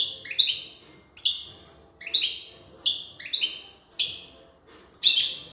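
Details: European goldfinch, a female feeding her chicks; bright, high, downward-sliding chirps in pairs, repeated roughly every second, ending in a denser buzzy burst.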